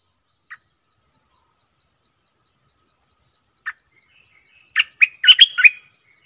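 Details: Decoy Streak-eared bulbul used to call in wild birds and teach young ones: two isolated short notes spaced seconds apart, then a tumbling burst of five bright, slurred whistles near the end.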